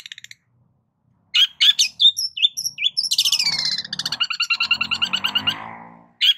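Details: Cendet, the long-tailed shrike, in a richly filled lure song for tutoring songbirds: a few sharp chirps, then a long rattling chatter of rapid notes with a descending whistled slur, fading out before one last chirp.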